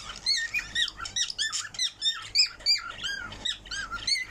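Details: Parrot singing in a small room, giving a short series of high, slurred whistles and squeaks, each note curving in pitch, spaced roughly three per second.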